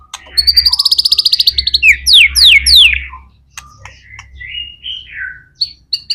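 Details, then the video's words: White-rumped shama in full 'gacor' song, used as a lure to prompt other shamas to sing: a fast buzzy trill of about twenty notes, then sharp downward-slurred whistles and sliding whistled phrases separated by short pauses. "MURAI BATU GACOR AMPUH BUAT PANCINGAN MURAI BATU AGAR CEPAT BUNYI"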